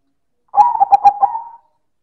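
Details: Silver zebra dove delivering a single loud manggung phrase: about a second of quick, stuttering coo notes, strong and clear, finishing with a smooth drawn-out tone, no background noise.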